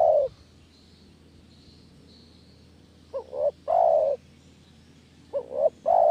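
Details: Spotted dove calling, used as a lure sound for catching doves: after the tail of one coo, two phrases follow about two seconds apart. Each is a short wavering rising note and then a longer, mellow, slightly falling coo. The background is quiet with a faint hiss.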